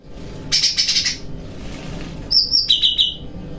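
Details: Cucak rante bulbul bathing at night and singing cheerfully, with training in kapas tembakan and besetan song styles: one short high trilled burst, a pause, then a two-part phrase of a bright high trill dropping to a lower rapid trill.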